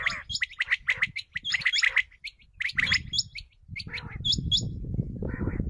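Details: Common quail calling, recorded as a hunting lure: quick runs of bright clipped chirps in clustered bursts with brief pauses between, then a rougher gargling note near the end, over low rumbling noise.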